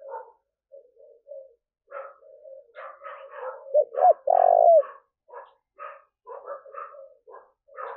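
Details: Spotted dove cooing meant to lure wild doves: repeated soft rough bursts throughout, broken midway by a loud close phrase of short hooting notes ending in a long level purr, after which the rough bursts continue.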